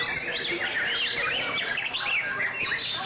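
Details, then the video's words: Displaying white-rumped shama singing a rapid stream of bright whistles and descending slurred notes, closely packed and overlapping, with soft background hiss. "Shama's Song-Display"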